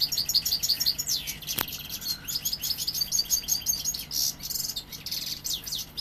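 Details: A young European goldfinch from Seville sings strongly: a fast, high, liquid twitter of tinkling notes and buzzy trills, almost without pause. A single sharp click and a faint low hum are also heard.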